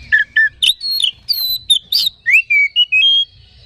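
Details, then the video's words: Oriental magpie-robin song played as a lure to excite other magpie-robins: a quick series of separate whistled notes, some low and fluty, others high and sweeping, ending on a sustained clear whistle. "Suara Pancingan Kacer Agar Cepat Emosi Gacor ! Pancingan Paling Ampuh Buat Menaikan Emosi Kacer"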